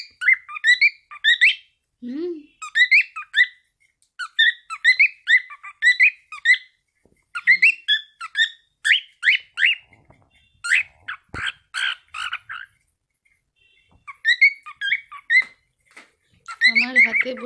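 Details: A baby cockatiel, a pet perched on its owner's hand, sings a rapid run of bright, warbling whistles in short repeated bursts.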